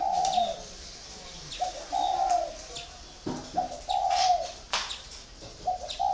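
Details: Spotted dove kept four years in a cage, cooing in low, steady hooting phrases about half a second long, repeated every second or two, while a small bird chirps faintly in the background.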